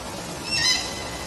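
A sulphur-crested cockatoo gives one short, harsh, nasal squawk lasting about a third of a second, over a steady background hiss.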